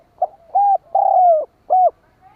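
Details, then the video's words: Spotted dove lure call, a champion 'denak padu' style used to draw other doves in. Four mellow, hollow coos with short gaps between them. The first is brief, the third is long and slowly falling, and the others are even. No other sounds. "Suara Burung Tekukur Denak Padu Juara - tiếng chim cu gáy kích bổi nhanh nổi"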